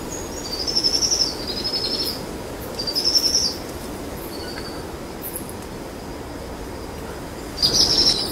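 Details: Two powerful owl chicks being fed by their mother in the evening, giving repeated high pulsed trills, four bursts of roughly half a second to a second spaced over eight seconds, over a faint constant high whine.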